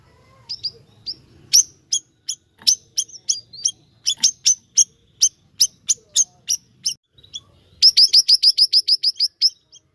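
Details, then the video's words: Lively siri-siri song built from bright, high, clipped chirps delivered in a fast irregular stream, ending in a rapid burst of closely spaced notes; faint low background rumble. "Gacor nya Burung Siri Siri ini"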